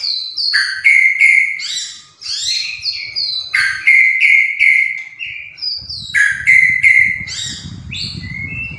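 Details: White-rumped shama (murai batu) singing repeated phrases: sharp high notes dropping into steady whistled tones about every second, with light rumbling noise late in the recording.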